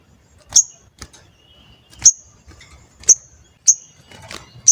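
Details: Crimson sunbird used as a lure to make other birds sing and respond. Sharp, very high 'cuit' chips ring out singly, roughly every half second to second, with faint rustling in between.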